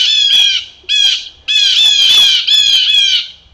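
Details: Blue jays in a Maine forest, riled up by a canid that may be a wolf, give harsh, nasal mobbing screams in four loud bursts over a few seconds, each a grating jeer.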